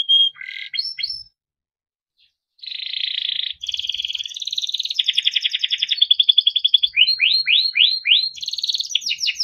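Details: Yellow Timbrado canary singing beautiful melodic song: short whistled notes, a pause of over a second, then buzzy rolling trills, rapid pulsed notes and a run of upward sweeping whistles.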